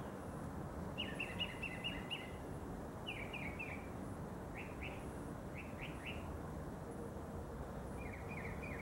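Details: Mockingbird singing in the early morning in a neighbor's tree roughly 50 yards off: bursts of quick high sliding chirps repeated two to four times per group, separated by short pauses, over a constant hiss.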